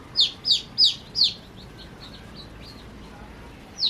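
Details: Playing baby chicks give four strong falling peeps in quick succession, then softer distant chirps and a final loud peep at the end.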